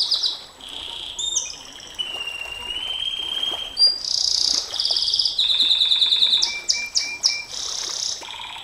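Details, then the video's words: Canary, long 'nembak panjang' singing style used for tutoring and provoking canaries: varied phrases with a sustained lower whistle, a high buzzing roll, strong repeated trills, and short sharp chips near the end. "Suara KENARI NEMBAK PANJANG, Untuk Masteran Dan Pancingan KENARI SANG JUARA, Canary Sound"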